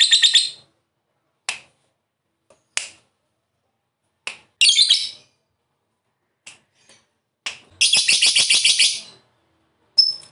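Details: Lovebird, a fighter type, giving scattered sharp chips and short squawks separated by silent gaps, then a hurried burst of fast, shrill chatter lasting about a second, ending with a single thin whistled note.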